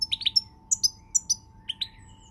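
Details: European goldfinch singing, recorded on 20 March 2020: short bright chirps and twittering notes in small clusters, separated by brief pauses, over a steady faint background hum.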